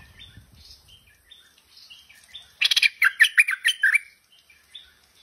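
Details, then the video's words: Tame Stripe-throated Bulbul singing a single burst of about a second: a quick run of bubbly, warbled notes dropping and rising in pitch, preceded by faint soft whistles from other birds in the background. "Merbah Lekir Gacor Jinak"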